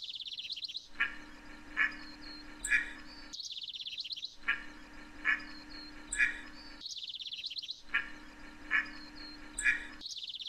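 Scaly-sided Merganser giving three short, harsh notes in a row, repeated about every three and a half seconds, with a high rapid chatter between series and a low steady hum beneath.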